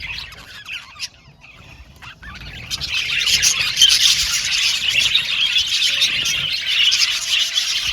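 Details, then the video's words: Aviary colony of male blue and violet budgerigars: a sparse, quiet opening with a few isolated chirps, then a sudden swell into loud, dense, overlapping chirping and warbling chatter that carries on to the end. "Beautiful budgies chirping sound"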